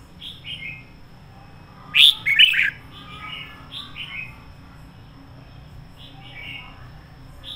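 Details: Decoy red-whiskered bulbul singing a full, fiery song: soft descending whistled notes in small groups, broken by one loud sharp burst of warbling, with a quiet hum throughout.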